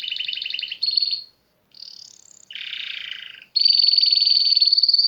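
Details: Canary singing amid nature, alternating rapid rolling trills with a short high whistle, a brief pause, a harsh buzzy burst, and a long loud sustained trill at the end.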